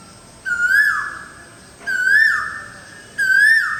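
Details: Asian koel perched in a tree in front of a balcony, giving three loud clear whistled notes, each rising then sliding down, repeated about every 1.4 seconds over a steady faint high tone.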